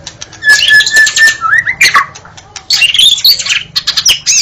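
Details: Murai batu, the White-rumped shama, pouring out a dense, busy song of high scratchy trills mixed with slurred whistles and quick rattling notes, with barely any pause.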